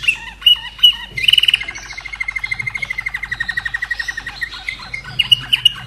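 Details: A Slavujar canary, bred in Austria and hatched in 2011, sings a little song. Bright whistled notes lead into a long, rapid, even trill of clipped repeated notes, then more whistles.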